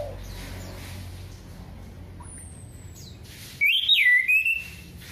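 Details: Orange-headed thrush singing, used to prompt silent birds into song: after a quiet start, one short burst of clear, warbled whistles with quick rising and falling turns, lasting under a second near the end.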